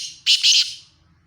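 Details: Black francolin giving a short harsh call of two quick, rasping, scratchy notes in close succession, loud and broad-toned, followed by silence over a faint low background hum.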